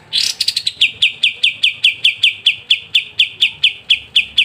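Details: Kapas tembak in crisp ngebren style, for training songbirds: a bright scratchy burst opens, then a regular string of sharp clipped notes roughly five per second.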